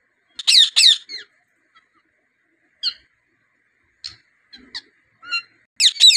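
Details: Rose-ringed parakeet of the native kind, a talking bird, making scattered sounds: a pair of loud, harsh squawks, then short chirps and clicks spaced apart, ending in another burst of raspy squawks.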